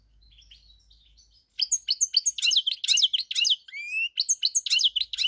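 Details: European goldfinch song recorded 4 March 2022: after a quiet start, a rapid run of bright, twittering high notes with buzzy trills and one clear rising whistle, delivered in quick, uneven bursts.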